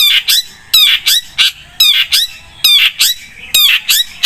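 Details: Long-tailed shrike in energetic full song, used as a lure sound: loud, harsh, buzzy notes with stacked harmonics, given in quick pairs and short bursts about every second, with near silence between.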